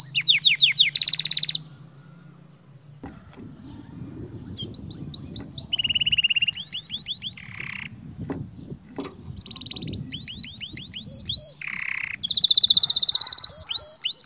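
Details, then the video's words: Canary song for training young birds: bursts of fast trills, whistled swept notes and buzzy rolls separated by quieter gaps with low background rumble. "Canary 's most powerful song for training 2022 اجمل تغريد لتعليم فراخ الكناري"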